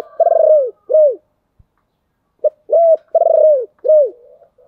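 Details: Spotted dove lure song for calling in wild doves: loud, deep cooing in two phrases, each a short note and longer arched coos, separated by a silent pause.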